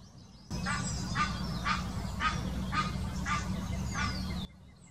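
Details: In Germany's Wittlich Depression in 2018, an Egyptian goose utters its mating call: a run of six rough, nasal honks at a steady pace, set against a low droning hum and occasional high bird notes.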